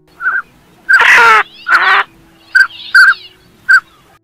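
Northern Pintail giving short, mellow whistled notes, five spaced over four seconds, broken early on by two harsh, rasping bursts.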